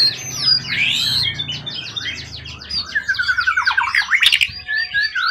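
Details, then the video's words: Forest-caught competition bird, tail over 20 cm, tame from long keeping, pouring out rapid sweeping whistles and a fast series of repeated downslurred notes, with a low hum underneath. "Burung event ori hutan ekor 20cm up lg on banget prestasi burung hutan gk giras ya rawatan lama"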